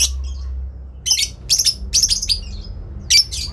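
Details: Adult lovebird answering a rival with long ngekek; a few soft chirps, then a run of harsh high bursts about every half second, closing with one more loud burst, low hum behind.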